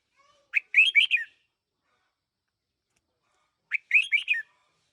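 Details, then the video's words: Red-whiskered bulbul kept as a one-year-old decoy bird, singing two short phrases about three seconds apart, each a quick run of bright, warbled whistled notes rising and falling, with silence between. "Chào mào chim mồi 1 nam"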